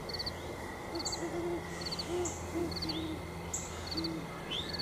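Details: Great Horned Owls visiting Mt Nittany at sunset give soft, deep hoots in short uneven runs, with high chirping birds and a faint insect hum behind.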